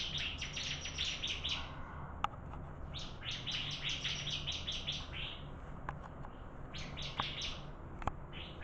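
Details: Singing contest of bar-winged prinia: short volleys of quick, piercing high notes broken by pauses, with a few sharp clicks or knocks and a constant low hum in the background.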